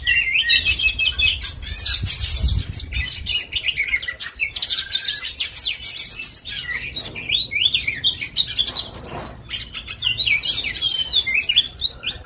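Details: An Indonesian kacer, the Oriental magpie-robin, sings nonstop for twelve seconds: rich, varied phrases of bright whistles, scratchy chips and fast trills, with rapid pitch jumps and many mimic-like notes over a low rumbling background.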